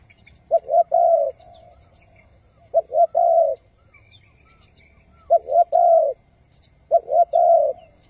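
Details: Spotted dove used to lure wild doves to traps, calling low mellow coo phrases of two quick notes then a longer note, four phrases with short pauses, light background noise.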